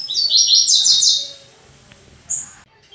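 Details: Caged double-collared seedeater delivering its fast "tui tui" song from a perch: a quick run of bright, high stepped notes for about a second, followed by a short isolated high call.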